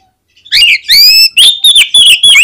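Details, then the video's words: Oriental magpie-robin singing loudly, played to provoke other magpie-robins to answer: a tight series of bright whistled phrases, some rising and some sliding down, delivered in quick succession. "SUARA KACER GACOR INI SANGAT AMPUH BIKIN KACER LAIN CEPAT NGEPLAY"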